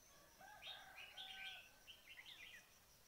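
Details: Red-whiskered bulbul lure call for trapping. Dense, lively chirping and warbling runs almost continuously for about two seconds, with fainter lower tonal notes underneath.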